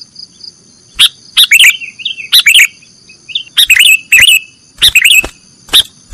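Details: Nggaruda-style song of a sooty-headed bulbul, recorded for training cage birds: loud clusters of sharp chirps and slurred whistles, repeated in bursts about every half second to second, over steady high background tones.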